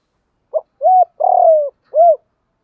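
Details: Spotted dove cooing, a recording used to train captive birds: a short clipped note, an arched coo, a long rough drawn-out coo, then a final arched coo, all low and hollow in one phrase.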